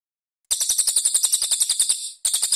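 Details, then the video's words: Cililin giving a harsh, high rattling burst of rapid notes, about eleven a second, pausing briefly before starting again; a coarse, tightly spaced "tembakan" burst used as master song for training young magpie-robins. "TEMBAKAN KASAR JEDA RAPAT CILILIN"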